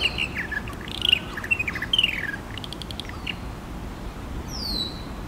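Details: Purple martin at the martin house at FortWhyte Alive in Winnipeg, Manitoba, July 2022, giving a rapid run of gurgling, chortling chirps for about two seconds, then sparser notes and a faint downslurred whistle over low constant background noise.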